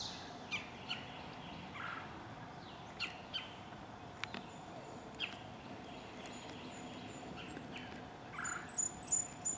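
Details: Blackburnian warbler foraging and singing from a snowdrop perch: scattered soft chips, then a very high, thin run of quick notes near the end, with an ovenbird and another Blackburnian warbler singing faintly in the background.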